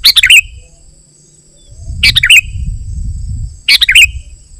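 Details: A sooty-headed bulbul, used to lure wild bulbuls and to tutor caged birds, gives three short, bubbly, warbling phrases, with low rumbling noise between them and a steady faint high whine.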